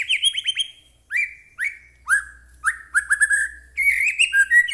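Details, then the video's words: White-rumped shama singing strongly, played to provoke a captive bird into singing: loud clear whistled phrases, some sharply descending, others buzzy and trilled, in quick bursts separated by short pauses, over a faint low hum. "murai batu gacor AMPUH buat pancingan murai batu agar bunyi"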